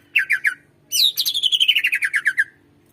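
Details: Greater green leafbird song used as a lure to get reluctant birds singing: three short chirps, then a long rapid trill of about fifteen notes sliding steadily downward in pitch and fading out.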